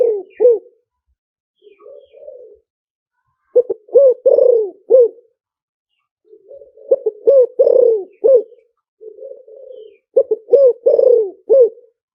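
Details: Spotted dove cooing in a clear wild three-part style used to lure wild doves; soft low introductory murmurs lead into repeated groups of deep, hollow coos with clipped accents, recurring every few seconds in a quiet setting.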